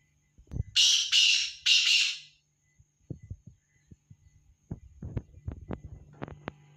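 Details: Black francolin (Francolinus francolinus), call.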